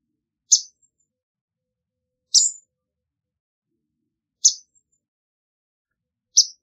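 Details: Swamp sparrow calling with sharp, high single chip notes, one every two seconds or so, four in all, separated by silence.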